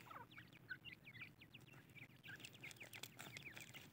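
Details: A group of female Irani teetar francolins giving many short chirping calls, rising and falling notes that overlap rapidly, with sharp clicks and tapping in the background.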